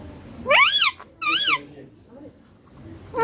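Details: Green Indian ringneck parakeet kept as a pet, taught to say papa and mummy: two clear arched, voice-like syllables in quick succession, then a pause and faint mumbling.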